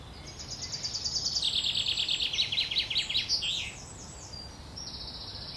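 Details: Brood of wren chicks fed by the mother at a nest by Worthington Lake, Standish, Wigan: a quick, piercing chatter of repeated chirps falling in pitch, a pause, then a renewed thin high trill.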